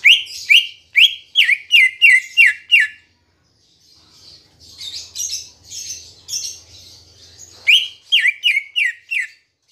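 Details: Green leafbird song meant to lure kept birds into singing: a rapid burst of about eight loud, downslurred whistles, a softer stretch of varied chattering notes, then another quick series of ringing whistles.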